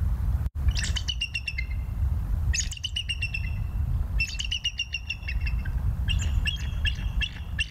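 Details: Wild bald eagles at a nest in Decorah, recorded on a live cam on 21 November 2022 at 19:20: high chittering series of piping notes in four bursts, over steady low wind rumble.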